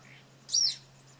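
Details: Social flycatcher giving a single short, harsh high-pitched note lasting about a third of a second, with a faint steady low hum underneath.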